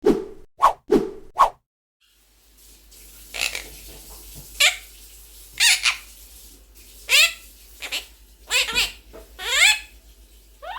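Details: A pet blue Quaker (monk) parakeet talks: four quick, voice-like syllables open the clip, then scratchy, buzzy chatter with bright squeaky sweeps rising and falling in short bursts.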